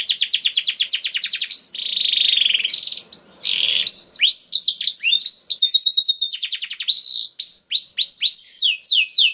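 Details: Canary singing in 'gacor' style with 'cengkok istimewa' phrasing: a rapid high trill, a steady sustained whistle, then looping swoops and further rattling trills delivered without pause.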